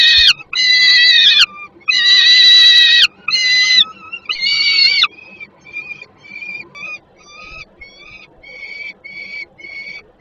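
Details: Hungry young peregrine falcon begging on a landing below the nest at Żerań, Poland, on 10 August 2022 at 17:35, while a parent brings food; long harsh wailing screams, then shorter rapid repeated notes.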